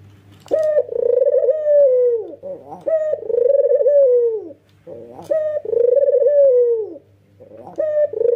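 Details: Male white Barbary dove with red eyes cooing energetically while head-bobbing: three drawn-out, husky coos, each opening with a sharp rising note, then a long steady hum that slides down at the end, spaced about two seconds apart over a low steady hum.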